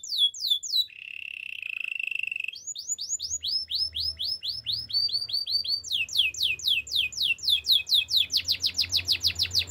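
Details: Canary song recorded for training young singers: fast runs of repeated downward-sweeping whistled notes, a steady trilled roll held near two and a half kilohertz, then rapid rising and falling tours at about four notes per second.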